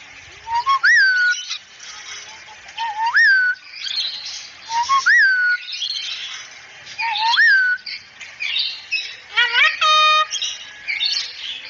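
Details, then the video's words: Cockatoo from a training recording of a talking cockatoo said to say "assalamualaikum": clear whistles that rise, then drop, repeated about every two seconds, then a short harsh call with stacked overtones near the end. "masteran burung kakatua bicara asalamualaikum"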